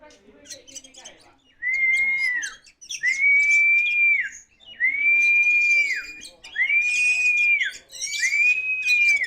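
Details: Oriental magpie-robin, kacer poci type, singing strongly: five clear, arched whistled notes, each about a second long, repeated roughly every two seconds with faint chatter between them.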